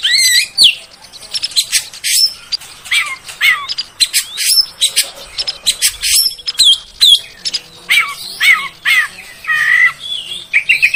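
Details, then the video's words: Oriental magpie-robin singing in a lure recording to make other magpie-robins sing: sharp broadband clicks and buzzes mixed with rising and falling whistled notes, phrases packed closely together. "SUARA PANCINGAN BURUNG KACER AGAR CEPAT BUNYI DAN GACOR"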